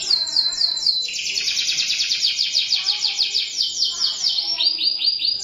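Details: Continuous canary song: a long, bright rolling trill that slowly steps downward in pitch, then shifts to a slightly lower, evenly pulsed series of repeated notes near the end.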